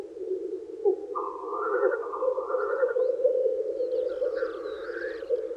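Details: Black grouse males at a spring lek courting females; a continuous low bubbling purr runs throughout, overlaid by rising wavering calls and, later, faint high chirping of other birds.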